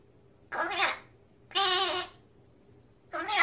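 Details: Magpie mimicking speech in a kitchen, giving three drawn-out, nasal, meow-like voiced phrases about half a second each, rich in harmonics, spaced by short silences over a low background hum.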